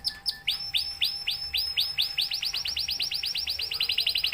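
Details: Caged F1YS canary singing in the gacor style: high descending whistled sweeps, at first about two a second, then speeding into a rapid rolling trill, with a steady faint hum in the background.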